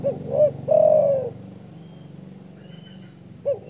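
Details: Spotted dove with a loud call said to stir up rivals: two short hoots and a long falling coo, then a new phrase begins at the end. Low, droning background noise continues throughout.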